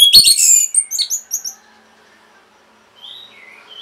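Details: Orange-headed thrush song for training caged birds. It opens with a loud, busy tumble of high twittering notes lasting about one and a half seconds, then a pause and faint, drawn-out whistles.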